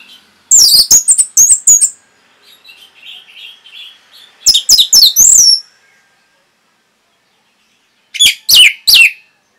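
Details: Song of an orange-headed thrush, played as a masteran to train caged birds. Three loud clusters of fast, piercing, high notes are separated by a soft, low warbled passage.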